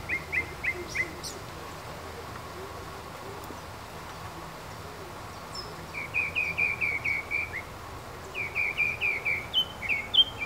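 A red-billed streamertail gives quick runs of four to six sharp, high chipping notes, with a pause between bursts, over a steady low background hiss.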